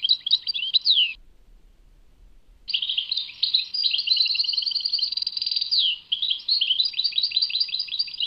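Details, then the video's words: European goldfinch singing at Tadmait. A short twittering phrase ends in a downward slur. After a pause comes a long run of bright chirps, with a buzzy trill and falling slides. "Chant chardonneret Tadmait"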